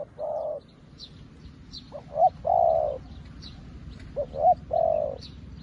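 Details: Spotted dove used as a decoy to call in wild doves, said to call as well as an old decoy: phrases of two quick rising notes and a drawn-out hoarse coo, repeated about every two seconds, with soft chirping birds behind.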